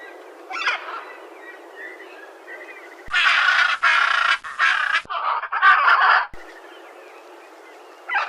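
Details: Macaw giving a run of loud, harsh, raspy squawks in quick succession through the middle of the recording, with softer chirps of other birds before and after.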